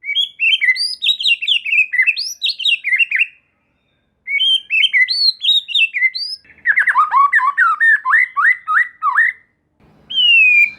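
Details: White-rumped shama lure song to provoke other shamas and juvenile birds into answering: fast runs of clear whistled notes, a pause, then more whistling and a stretch of lower choppy notes, closing with a long slurred whistle.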